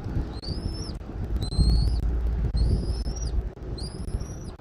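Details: Eagle at a Southwest Florida nest, nest camera, 13 January 2024 at 14:17; four clear high whistles, each slightly upslurred, about once per second, over a dull low rumble.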